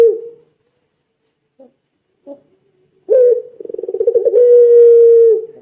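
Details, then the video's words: Lively puter pelung dove cooing to prompt other doves to join in: scattered faint notes, then a strong low coo with a fast rolling tremolo that opens into a drawn-out, level tone. "Suara Burung Puter Pelung Gacor Sangat Ampuh Menjadikan Puter Lain Ikut Bunyi"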